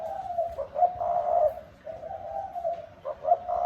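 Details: Softer, more distant cooing from a spotted dove, with repeated low hollow notes blending into a continuous murmur over a noisy, rumbling background.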